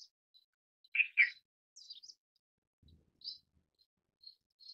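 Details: Indian silverbill (Euodice malabarica), an introduced species in Taiwan, gives soft, high chirps and thin tinkling notes with two louder buzzy chips close together, in an otherwise quiet setting.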